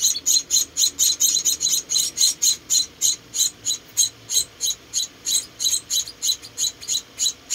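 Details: High chirps from four rescued munia babies being fed, rhythmic and insistent at about three and a half per second.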